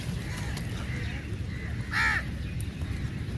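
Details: A single short, harsh caw rises from crows feeding together, heard against a low continuous rumble.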